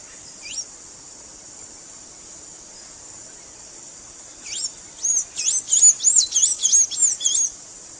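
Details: Blue-gray tanager song offered for teaching a caged bird to sing: thin, squeaky upslurred notes, a single one early, then a quick burst of about ten repeated over three seconds, above a steady high insect-like hiss.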